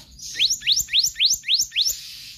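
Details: A run of six regular upward-swept whistles, each clear and piercing, sung by a magpie-robin (kehicap ranting) in the rapid konslet style used to tutor other birds.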